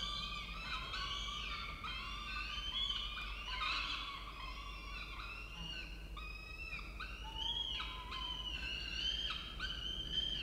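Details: At an Orange, Australia nest watched by camera, peregrine falcons call while the male brings food: a continuous chorus of overlapping, harmonic, wavering wails with short downward-slurred notes, steady in loudness throughout.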